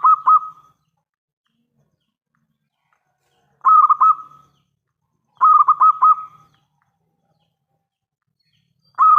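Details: A local zebra dove, singing eagerly as a lure to set other zebra doves answering, repeats short bursts of three to five quick throaty coos. Each burst is separated by a few seconds of silence, and four bursts are heard.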